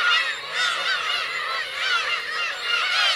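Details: On Teuri Island's Kurosaki coast in Hokkaido, 17 June 2021, Black-tailed gull parents and chicks fill the air with dense, overlapping, up-and-down mewing calls, swelling slightly toward the end.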